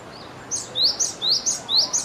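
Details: Japanese tit singing while preening, repeating a bright, high two-note whistled phrase about every half second.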